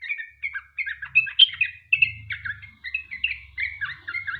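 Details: Sooty-headed bulbul singing continuously, used to make other bulbuls sing along: quick bubbly warbled phrases and slurred chirps following one another with little pause, over a soft low rumble.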